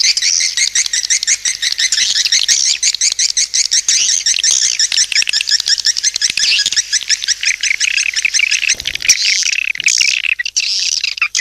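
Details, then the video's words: Swiftlet calling sound used to attract swiftlets: a dense, continuous chatter of high, rapid, overlapping twittering chirps with no break and no other clear sounds. "SUARA PANGGIL BURUNG WALET"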